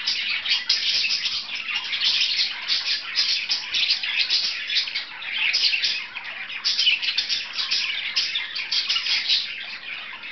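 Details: Pair of pet budgies playing together: nonstop bright warbled chattering, fast tweets and scratchy squeaks overlapping in an unbroken high-pitched babble.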